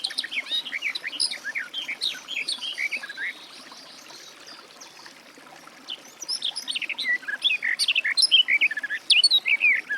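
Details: Two long warbling outbursts from a Garden warbler (Sylvia borin), each several seconds of hurried, babbling notes, separated by a quiet pause of about two and a half seconds.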